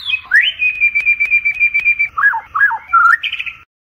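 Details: White-rumped shama singing at night to train a competition bird: a long sustained whistle with fluttering notes overlaid, then a few looping lower phrases and a short warbled ending.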